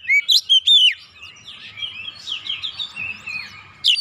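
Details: Oriental magpie-robin (kacer), excited and singing stubbornly through its repertoire, used to provoke other birds into song; three loud clear whistled notes open, followed by a soft jumbled twittering passage and a closing sharp note.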